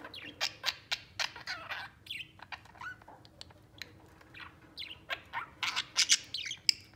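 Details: Three budgerigars playing together and getting along affectionately give a busy run of short sharp chirps and warbled notes, bursts coming in quick irregular clusters with brief gaps between them.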